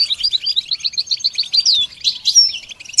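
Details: A goldfinch pours out a fast run of bright twittering notes, with one downward-sliding slurred note and a brief high trill.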